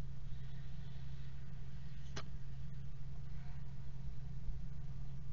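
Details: A steady low electrical hum fills the recording, broken by a single sharp click midway, with no animal calls.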